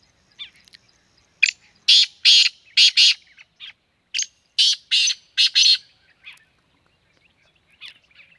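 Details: Black francolin from Sindh, Pakistan, giving a loud series of harsh, buzzy, rasping notes in two clusters of about four and five, with a few softer notes before and after.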